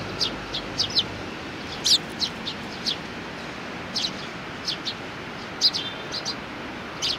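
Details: Several Eurasian tree sparrows, one of them young, recorded 27 June 2019: irregular bright chirps, singles and doublets, about one a second, with a few stronger notes and steady ambient noise.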